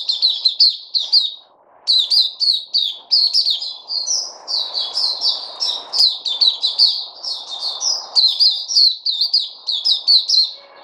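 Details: Bulbul held in captivity singing at length; lively, rapid chirped phrases of falling notes with barely a break, one short gap early on, and low murmur beneath.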